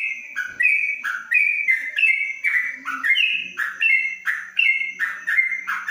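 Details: In Kebumen, a yellow-vented bulbul in a covered cage delivers 'ropelan panjang' song: rapid, liquid, chattering phrases of falling and rising slurred notes tumbling one after another, steady and loud throughout, with a faint low hum beneath.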